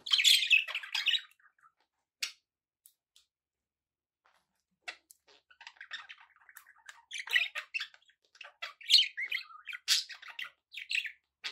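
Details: Pet budgerigars: a burst of scratchy chirping, then several seconds of near silence with scattered clicks, before soft twittering builds into dense, warbled chatter again.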